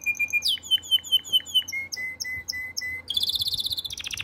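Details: Canary in breeding condition singing to call the female. The song moves through rapid repeated phrases: a clear steady note, a series of down-slurred chips about five per second, a lower whistled run, then a fast high buzzing trill.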